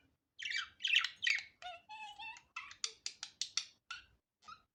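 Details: Natural budgerigar calling, unedited: a few loud scratchy squawks, a buzzy wavering warble, then a quick series of about eight sharp chirps, ending with two softer notes.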